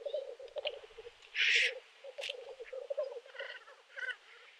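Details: Black grouse males displaying and fighting on a May 2021 lek at Kuusamo in snow: a low, rolling bubbling murmur throughout, broken by one loud harsh hiss and a few softer squeaky notes.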